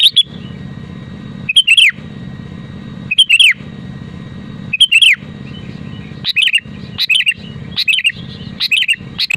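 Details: Vigorous sooty-headed bulbul singing in a natural voice, used to draw song from other bulbuls: liquid whistled phrases with a falling end, repeated about every one and a half seconds, then coming faster, over a low steady hum.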